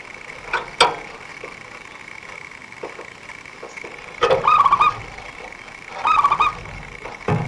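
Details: Local zebra dove, kept by bird trappers as a lure, with a fast, dense voice. Two short warbled cooing phrases come late in the clip, at even pitch, after scattered clicks and knocks over a steady background hum.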